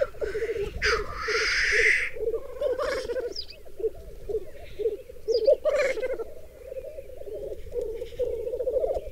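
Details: Black grouse lekking on a reserve bog in the Berezinsky Biosphere Reserve, females crowding around a single male; sustained low rolling bubbling throughout, interrupted early by a loud harsh hissing sneeze and later by softer hisses.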